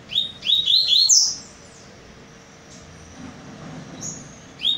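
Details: Double-collared seedeater (Sporophila caerulescens) in top singing form a day after an outing gives a quick run of bright, high whistled rising slurs, then another short phrase, over faint background hum.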